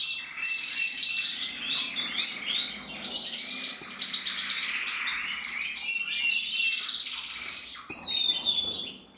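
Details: Black-red mosaic canary cock from a Loisach valley breeding stud, delivering dense rolling trills and fast repeated chips that rise and fall, then a thin descending whistle near the end.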